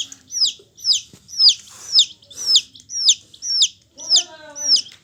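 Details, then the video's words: A yellow hen chick calls with strong, evenly spaced, high, downslurred peeps, nearly two each second. A lower, wavering, harmonic sound enters briefly near the end. "Hen Chicks Colour full Yellow Baby Of hen Chirping Sounds"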